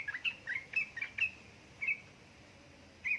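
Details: Yellow-vented bulbul lure, female calling male to get idle birds singing; a rapid string of short bright chirps, then a pause and two more isolated notes.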